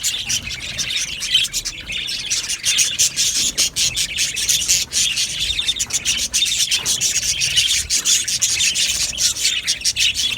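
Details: Aviary colony of Australian budgerigars producing steady high-pitched chatter, buzzy and scratchy, with many overlapping chirps and brief dips in loudness throughout.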